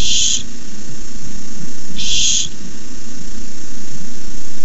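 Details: Rat delivered to a barn owl nest under camera, prompting begging: two harsh, noisy screeches about two seconds apart, the first cut off at the start, over low steady hum.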